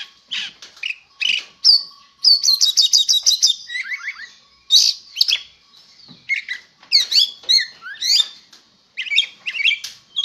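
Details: Magpie-robin in strong singing form: a loud, varied stream of high chirps, rapid trilled runs, buzzy notes and downslurred whistles, delivered in bursts with short pauses, clean background.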